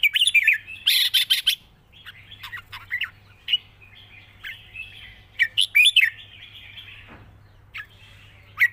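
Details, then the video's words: A red-whiskered bulbul gives a long-phrased, light wild-style song: bursts of sharp clicky chirps, then liquid whistled slurs and warbles spaced through the phrase, one falling sweep, over a steady low background hum. "เพลงป่าๆ สำนวนยาวปากเบา ฟังเพลิน"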